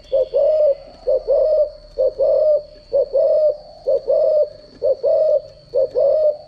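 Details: Spotted dove decoy cooing, used to train doves' voices: low, mellow paired coos, a short note then a longer one, repeated about once a second. A steady high electronic whine runs throughout.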